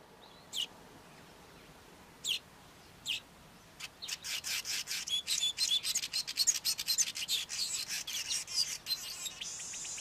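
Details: Male Cape weaver singing his long, wound-up song: a few separate high sharp notes, then a dense, buzzy, chattering run of rapid high notes lasting about six seconds.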